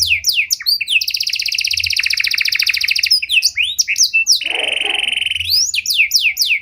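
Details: Luxurious cengkok song from a Panda canary, used to bait and train other canaries. Sharp slurred notes frame a long rapid trill, followed by a steady whistled buzz and more fast, choppy sweeps.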